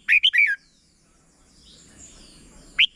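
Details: Red-whiskered bulbul, a short 'double' (bueng) song phrase played for young birds to copy: a quick burst of three or four bright, slurred whistled notes, then a pause and one more rising note over a faint background hiss.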